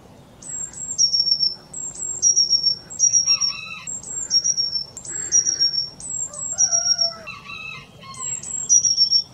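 A Eurasian blue tit sings very high, thin notes sliding down into a brief silvery trill, repeated about every second, with lower whistles from another bird.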